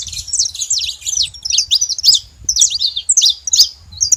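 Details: Saffron finches from a flock living free in nature, busy twittering song of high slurred chirps and quick notes, several birds overlapping throughout, faint low background noise.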